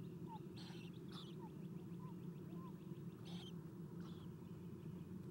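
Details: Eastern screech owl owlets at a nest box, fed by an adult at 7:04 am on 4-11-2016, nest camera; faint buzzy hissing bursts and a few short whistled notes over a steady low hum.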